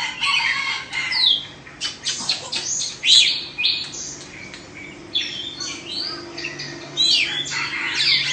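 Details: Caged Oriental magpie-robin of Indonesian stock, two seasons old and faultless. Loud, scratchy song bursts alternate with shrill whistles and quick chattering notes in uneven phrases. Low hum in the background.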